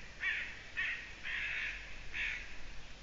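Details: Eurasian eagle-owl, evening of 6 June 2017: four gravelly, screechy calls in quick, uneven succession. The third is drawn out longer than the others. Faint background hiss.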